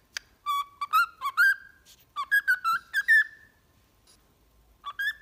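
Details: Pet cockatiel singing-training whistles: two lively phrases of short wavering whistled notes, a pause of over a second, then the tune starting again.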